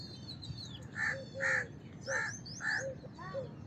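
House crow giving harsh, nasal caws, about five in quick succession roughly every half second, over a low background hum with faint higher chirps from other birds.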